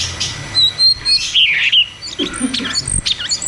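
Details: A cucak cungkok singing in ngeroll tembak style as a lure for caged birds gone quiet. Slurred whistles step upward into a loud rich burst, then softer chatter and a low brief note near the end.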